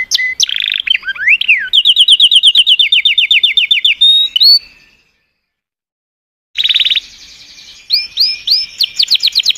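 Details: Canary singing a varied song of fast trilled tours and upward sweeps, broken by a silent gap of about two seconds before a dense rattling trill resumes.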